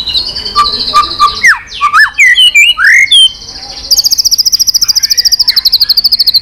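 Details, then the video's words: White-rumped shama, described as giving continuous 'tạch' notes and used to fire up a listless shama: a long high whistle, then sharp downward and upward swept notes in quick sequence, then a fast steady buzzy trill held for several seconds. "Chòe lửa tạch liên tục"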